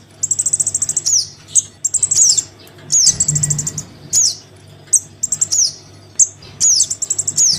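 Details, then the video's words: Crimson sunbird chick calling for its parent, played as a lure: long runs of fast, buzzy high trills broken by sharp falling chirps, with a brief low rumble in the middle. "Suara pikat [anakan sogon memanggil induknya]"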